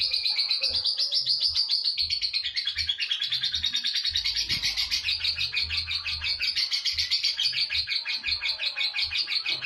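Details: Lovebird giving long continuous chattering song (ngekek panjang), used as a training recording: an unbroken high, rapid, pulsing chatter, with faint low thuds in the background.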